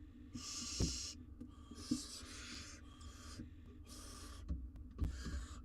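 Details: Inside a camera-watched nest box in Israel, four wild barn owl nestlings cuddle while the mother is away. Several overlapping rasping hisses come in quick succession, breathy and broad, with occasional thumps of movement.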